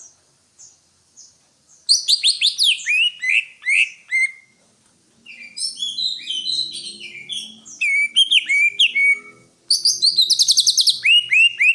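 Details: Greater green leafbird singing a rich, varied song of whistled and chirping notes, bursts of rapid descending slurs and trills high in pitch, separated by short pauses, with faint low background hum.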